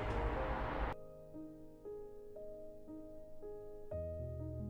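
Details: A burst of broadband noise gives way to soft, slow piano-like music with sustained notes; no animal voice is heard.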